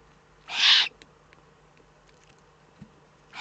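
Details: Eurasian eagle-owl in the Eifel, 3 May 2014: one strong, noisy hiss lasting under half a second, followed by quiet with a soft knock before the next hiss begins at the very end.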